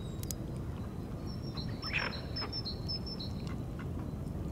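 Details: A short burst of high whistling notes from a tufted duck giving its mating call, preceded by a couple of sharp clicks, over a constant low rumbling background.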